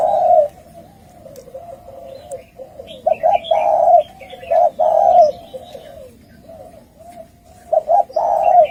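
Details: Wild male spotted doves challenging each other to fight, several low hollow coos delivered in rapid overlapping phrases, some drawn out, with soft background hiss and faint high chirps of small birds.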